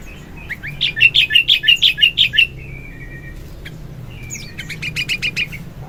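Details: Sooty-headed bulbul singing vigorously in the morning, a lure and tutoring song: a quick run of about ten bright chirped notes, a thin trailing whistle, then another rapid burst of sharp repeated chirps.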